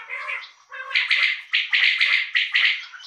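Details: Kept male common quail (bulara) in a run of rapid calls. A softer lower phrase gives way to loud buzzy triple notes in quick succession.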